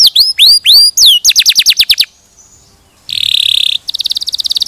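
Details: Canary song from a recording for training other canaries: looping whistles and a quick chirp series, a brief pause, then a harsh buzzy burst and a fast high trill.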